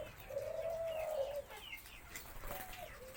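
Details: White-variety spotted dove over a year old, possibly female, giving its four-note crowing song (ขันโยน) while other doves crow and chicks call nearby. A long, low, hollow coo dominates the opening, followed by fainter coos and thin high chirps.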